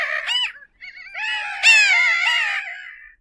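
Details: Bridled tern giving a drawn-out, nasal, wavering call that swells into a loud harsh wail and fades, preceded by a short rising squeal.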